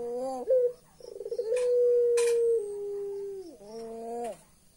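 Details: Pelung-type Barbary dove gives low, hollow coos, then its eerie rolling, chuckling laugh stretching into a long note sliding downward; a few sharp clicks nearby.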